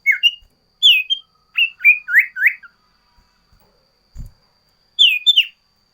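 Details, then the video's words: Sooty-headed bulbul in energetic varied song: quick rising whistles, a high slurred note, then four fast upward slurs, a pause with a soft thump, and a closing pair of high falling whistles. "Suara Burung Sirtu Variasi"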